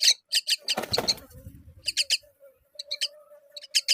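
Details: Myna feeding fig to her babies: sharp, high chirps in quick clustered bursts of two to four notes, repeating through the clip, over a low steady hum, with a few dull broadband thumps early on.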